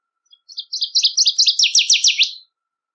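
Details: Singing Northern waterthrush: soft introductory chips build into a loud, accelerating series of paired ringing notes that end in several quick, down-slurred whistles, with silence around the phrase.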